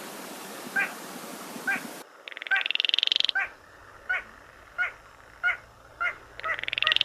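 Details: Baillon's crake 'gõ ghẻ' call, used to lure birds into night nets: short clipped knocking notes repeated every half second to second, broken by quick rattling trills, with faint steady background hum.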